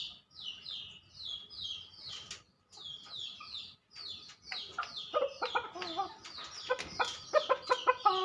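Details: Male Ayam Ketawa chicken crowing in a quick run of short, harmonic, staccato notes in its second half, like choppy laughter, after many high, thin chirps from small birds that continue underneath.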